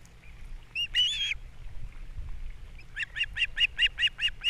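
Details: Osprey on a Captiva nest, 3 April 2022, during a breakfast fish delivery and chick feeding. A brief squealing call, a pause, then a regular series of about nine sharp whistled chirps.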